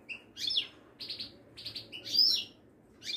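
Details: Wedani-type Moroccan European goldfinch, caged, at a Casablanca bird market: quick liquid twitters and short buzzy bursts alternate, with a sharp rising whistled note near the end and faint background hum.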